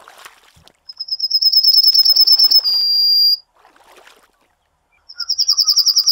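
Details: Yellowhammer (Emberiza citrinella) song: a quick, even train of thin, high chips that ends on a long held note. After a short pause, the next phrase begins.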